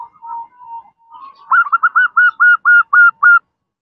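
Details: Zebra dove, female calling male: soft quiet opening notes, then a loud series of eight evenly spaced rolling coo notes, each short and slightly rising, at about four per second.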